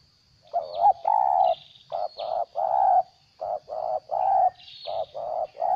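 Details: Spotted dove, a decoy bird kept for trapping, giving the stuttering 'gagap' coo: mellow hooted notes in uneven bursts, short and long, about twelve in six seconds, with faint high chirps of other birds behind.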